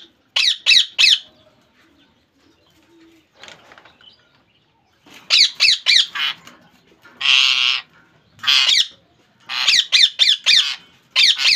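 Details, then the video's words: Screeching squawks from a pet rose-ringed parakeet: a fast opening burst, a quiet stretch with faint rustling, then bursts of shrill calls mixed with longer rasping squawks. "Parrot sound"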